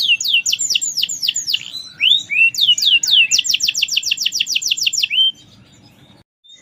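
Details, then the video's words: Captive Atlantic canary in full song: rapid rolled series of high whistled notes sweeping downward, repeated about four times a second, with a few slower slurred notes between trills before stopping. "Kenari merlok gacor"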